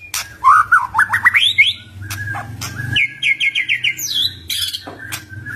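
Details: White-rumped shama singing as a lure to draw a reply from a silent bird: rapid rising whistled notes, scratchy chatter, then a string of evenly repeated clear whistles and high sharp calls over a low background hum.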